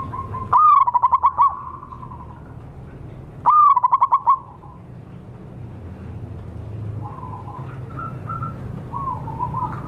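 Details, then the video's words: Zebra dove lure recording of wild local birds: two loud bursts of fast stuttered coos about three seconds apart, followed by softer distant cooing phrases. "suara pancingan dan pikat burung perkutut liar lokal"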